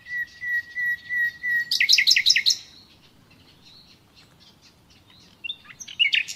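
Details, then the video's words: Nightingale singing in natural surroundings: a run of steady, piping whistled notes repeated about five times, then a loud, rapid, rattling trill, a quieter pause with faint twitters, and a final burst of sharp, high notes. "Doğal Bülbül Sesi Dinle"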